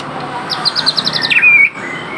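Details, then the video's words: White-rumped shama, the murai Aceh, singing with rich filled-in phrases. Seven or so rapid high chips lead into a sustained bright whistle that bends slightly before cutting off. "murai aceh gacor door isian melimpah"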